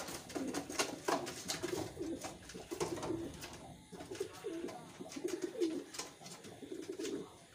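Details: Low, throaty coos from reared wild pigeons repeat through the recording, overlapping one another, with scattered clicks and rustling.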